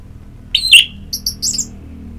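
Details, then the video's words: Orange-headed thrush singing in a therapy recording meant to prompt singing. A clear downslurred whistle is followed by a few sharp, very high chirps, then silence with a faint low hum. "Pagi Siang Sore Terapi Ngeplong Untuk ANIS MERAH Malam ya Tidur Merangsang untuk Bunyi"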